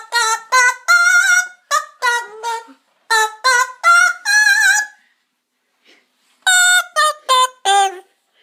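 A Panama amazon sings in rich, human-like syllables, short bursts strung into phrases, then a brief pause before a few more notes.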